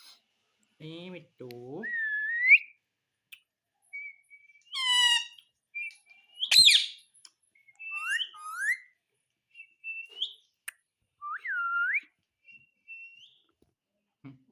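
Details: Talking pet parrot at home gives a long run of short notes: clean rising and falling whistles mixed with harsher, harmonic, speech-like syllables and one broad scratchy burst, spaced by brief silences.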